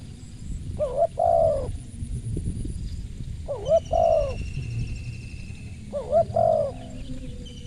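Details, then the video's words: Spotted dove repeating its phrase three times, about every two and a half seconds. Each is a quick double upslurred lead-in followed by a longer warm falling coo, over low background rumble and faint high whistles. "TAPAU TEKUKUR SUARA MERSIK"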